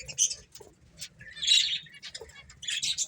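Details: Finches at play: scattered short, high chirps and twitters in separate bursts, with quiet gaps between them and a faint low rumble underneath.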